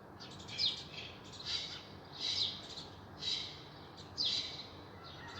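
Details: Birds singing in spring: harsh, high chirping bursts repeated roughly once a second, each a short squawky cluster of notes, with a quiet background and no other clear sounds.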